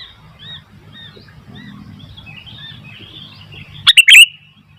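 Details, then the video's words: Sooty-headed bulbul in spirited song with wild bulbuls responding: faint, evenly repeated soft whistled notes over low rumble, then a loud, quick burst of bright chirps. "Burung kutilang gacor ..sampai kutilang liar jadi ramai"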